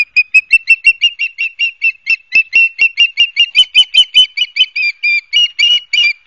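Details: At a nest in Barnegat Light, New Jersey, ospreys call on 12 September 2022, caught by nest camera: a fast, unbroken string of piercing whistled chirps, about four per second, some notes doubled and slightly rising.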